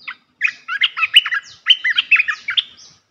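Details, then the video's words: Red-whiskered bulbul training song for young birds: a melodious, busy run of bright whistled and warbled notes, rising and falling quickly, with a short pause after an opening note and no other sounds. "เสียงนกกรงตาแดงEp.168 เสียงหัดนกลูกเสอ เพลงเพราะ น่าฟัง"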